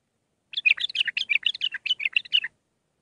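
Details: Bulbul song in the Mandali style, six phrases, for training young birds: a continuous two-second run of bright, bubbling warbled notes rising and falling quickly, with no other sounds.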